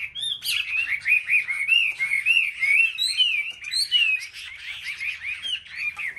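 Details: Caged Chinese hwameis in competitive song on a market rack: clear, ringing whistled notes arcing up and down in a steady flowing series, with a few louder high upslurs.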